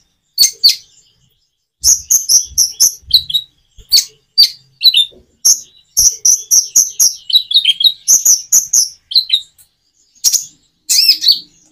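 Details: Common iora song used to stimulate hesitant birds to sing back, with natural gaps. Bursts of rapid high-pitched chirps and short whistles follow one another, separated by pauses of about a second.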